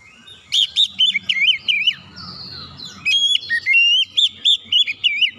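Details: Song of a white-rumped shama used to make other shamas sing, two phrases of loud, looping whistled notes repeated quickly, with a soft warble between them.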